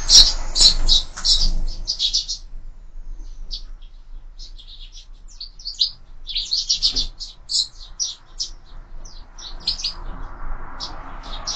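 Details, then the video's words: Sparrows at a feeder mounted on a window open with loud overlapping chirps, then give sparser scattered tweets; a soft broad hiss rises near the end. "Воробьи в кормушке"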